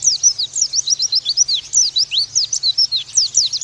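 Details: Oriental white-eye master song meant to make young birds sing: a lively, unbroken sequence of high, clear slurred whistles and chirps, mostly sweeping downward, each note very short and closely spaced, with a faint low hum.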